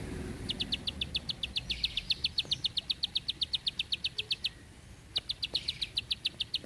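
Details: Bar-winged prinia in 'tembakan panjang rapet' style: a long, regular chain of bright, high clicking notes, nearly four a second, breaking off briefly and then starting again.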